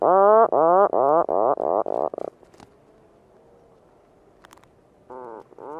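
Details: Puffin calling in a series of low, harmonic, groaning pulses, about seven in quick succession, each slightly rising. A pause with faint background follows, then the growling pulses start again near the end.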